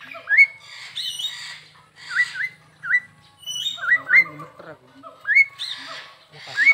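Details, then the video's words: Zoo park bird in Perbaungan, a crested myna in full song: bright rising whistles and double slurred notes, repeated in irregular bursts about once a second, with occasional voices. "Suara Burung Jalak Hongkong Gacor"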